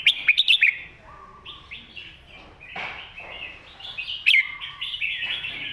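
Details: Red-whiskered bulbul master song, a clear singing style used for teaching young birds: short bright chirps and whistled phrases, several sharp notes near the start, then warbled phrases over a faint low hum.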